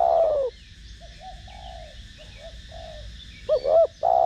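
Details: Spotted dove in the thick 'thổ đồng' voice, a coo meant to lure and rouse other doves: a long mellow falling note, a pause with softer distant cooing, then two quick hooked notes leading into another drawn-out coo; faint bird chirps in background.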